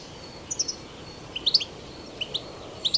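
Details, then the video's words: European goldfinch singing in the wild, betbeta style: sparse, crisp high chirps in pairs and short runs, separated by brief pauses, over faint hiss. "تغريد , طائر الحسون بتبته , الخلوي طائر الحسون في الطبيعة"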